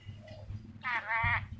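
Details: Ornate lorikeet from Sulawesi, a parrot said to be clever at talking, gives one short, nasal, voice-like utterance in two joined parts lasting under a second, against a quiet low hum.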